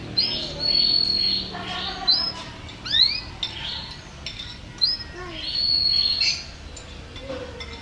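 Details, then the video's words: Caged canary singing a champion-style song, offered as a master recording for training birds at home. High whistled phrases include long level notes, steep upward slurs and short chips, with rapid bursts between them. "Suara KENARI Juara Gacor terbaru"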